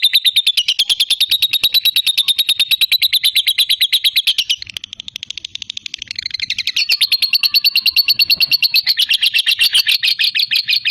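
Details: Lovebird giving a long ngekek trill meant to provoke rival fighter birds: a rapid, even run of sharp high chattering notes, about three per second, that dips and roughens midway, then resumes loud and steady to the end.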